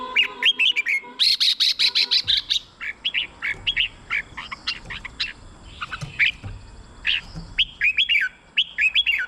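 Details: Red-whiskered bulbul, caged, for stimulating other birds: a dense run of chattering, slurred whistles and a harsh buzzy burst, continuing in busy overlapping phrases as though several birds call together.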